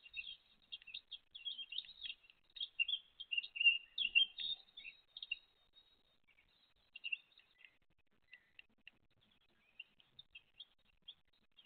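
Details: Great tit mother with her chicks, recorded 29 April 2023: dense, high-pitched chirping and squeaks for about five seconds, then thinning to scattered single peeps.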